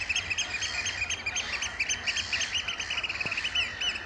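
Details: Eurasian oystercatchers piping in display at Amwell Nature Reserve in April 2014: steady strings of sharp, shrill, evenly spaced notes, several per second, continuing throughout.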